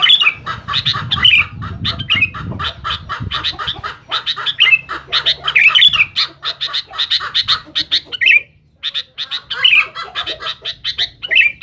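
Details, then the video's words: A long, loud outburst from a sooty-headed bulbul pressing its rivals. Buzzy, rasping chatter notes fire in quick succession, broken by brief bubbly upslurs. It pauses once near the end before the harsh bursts resume. "suara BURUNG KUTILANG GACOR RIBUT MENEKAN LAWAN"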